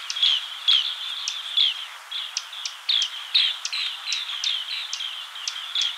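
Green bee-eater giving a rapid series of high, trilled chirps, several birds overlapping, with short sharp notes roughly every half second.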